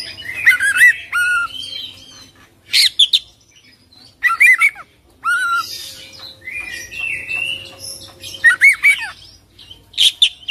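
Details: Oriental magpie-robin singing in repeated bursts: looping, slurred whistles and scratchy notes every couple of seconds, with quieter warbling between the phrases.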